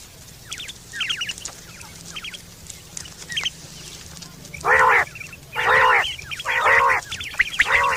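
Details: Quail, September 2023, calling for hunting and mating: scattered thin, high chirps, then four loud, rasping, buzzy bursts spaced about a second apart.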